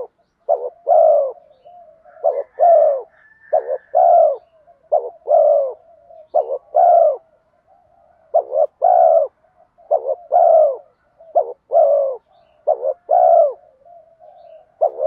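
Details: Bronze-voiced ('giọng đồng') spotted dove giving urging coos with 'mắt me' notes, a lure call for drawing wild doves in; brisk series of paired short coos and longer rounded coos, roughly forty a minute, with quiet trills and a faint thin whistle early on.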